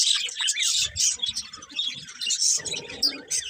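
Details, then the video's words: A budgerigar pair chirps in short bursts of high, squeaky tweets that rise and fall, with small gaps between phrases and some soft low rustling and muffled sounds beneath. "Cute Budgies Chirping Sounds"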